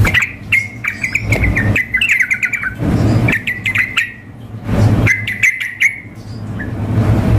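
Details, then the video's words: Female sooty-headed bulbul calling a male mixed with a male in frenzied song for contest practice; clear repeated chirp series, each run dropping off, separated by brief pauses and low rumbling thumps. "kombinasi trucuk memanggil dengan trucuk gacor mengamuk suara simulasi kontes"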